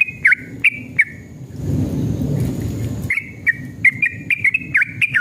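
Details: Yellow-vented bulbul in lively lure song intended to prompt caged bulbuls to sing: quick whistled notes, a second of rushing noise that drowns them, then a renewed run of rapid, slightly swooping chirps.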